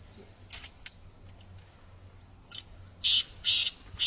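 Black francolin giving loud, harsh, grating notes in two quick bursts near the end, over a steady high insect hiss.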